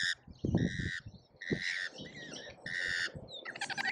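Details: At a feeder in Australia, lorikeets in a feeding frenzy give drawn-out rasping squawks, four long harsh bursts with gaps between, over scattered low bumps, recorded by a feeder camera.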